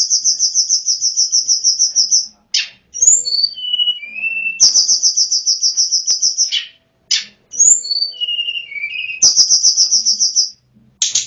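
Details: Sunda Robin (tledekan gunung) used as a lure for wild birds; long pulsing high trills lasting about two seconds alternate with buzzy notes and descending whistled phrases.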